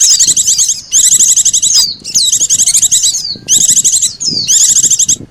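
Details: Oriental white-eye lure call used to attract birds, mixed with sogon calls. Bursts of dense, high, buzzy chattering trills come roughly every second, separated by brief pauses and thin rising whistles. There is a faint low murmur underneath.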